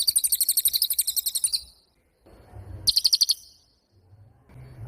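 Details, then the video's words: Prolific pied fantail (cililin) song in short bursts: a quick, shrill ticking trill, a pause with faint low rustling, another brief rapid burst, then silence and a soft low hum. "SUWARA BURUNG CILILIN GACOR"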